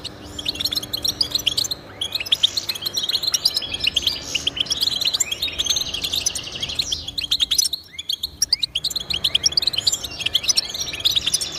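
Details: Goldfinch singing to encourage caged goldfinches to sing: a dense, continuous twittering of high chirps and rapid buzzy trills, briefly thinning near the eighth second before the chatter resumes.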